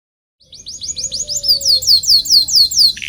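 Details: Local canary song used to teach other canaries: after a brief pause, a run of fast rising whistles leads into loud, evenly spaced falling sweeps, about three per second, over soft low background noise.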